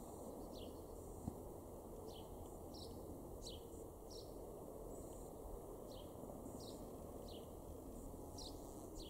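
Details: Male house sparrow in a garden in Weener, East Frisia, northwest Germany, April 2021, gives short sharp chirps at an uneven pace, about one every half to one second, over a steady low rumble of distant traffic.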